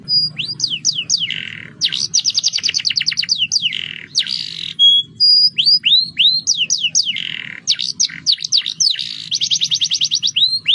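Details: Canary in roll style, used as a prompting song for other birds, delivering quick high trills and looping downward sweeps in dense bursts, broken by brief held whistles, with soft low background hum.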